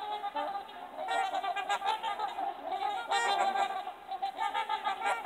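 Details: A flock of trumpeter swans keeps up a continuous, overlapping chorus of horn-like, nasal trumpeting honks, with bursts of louder calling throughout.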